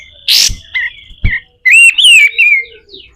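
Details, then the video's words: Pied triller, a captive bird used as a master tutor for training other birds, in a rough 'besetan kasar' style: loud harsh bursts, then a sliding whistled phrase that rises and falls, with faint trailing notes. "SUARA KASAR‼️katem gacor dor, masteran burung"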